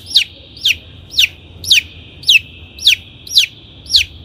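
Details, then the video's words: Long-tailed shrike lure recording for training caged birds: a sharp, descending whistled note repeated steadily about twice a second, eight times in a row, clean and loud against a quiet background. "THE LONG - TAILED SHRIKE SOUND"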